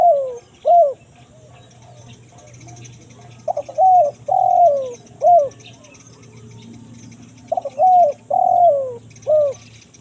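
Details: Spotted dove repeating its kuk 1 mersik phrase as a lure for wild forest birds: three full phrases, each with soft stuttered notes, a long husky slurred coo and a short end note, with faint small-bird chirps in the background.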